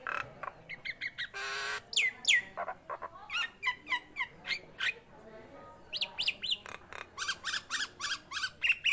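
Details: Energetic Nias hill myna song: a varied run of harsh squawks, loud rasps and rising whistled slurs, broken by crisp clicks, with notes tumbling out several per second across nine seconds.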